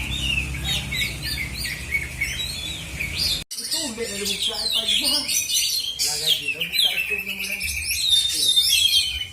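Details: Oriental magpie-robin of the black-and-white type at a singing contest in South Aceh, Indonesia, pouring out rapid varied whistles and chattering trills. After a brief dropout, people's voices are heard talking beneath the song.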